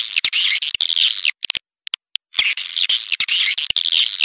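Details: Swiftlet twittering: two long bursts of high, buzzy, trilling chatter separated by a second-long pause holding a few isolated clicks.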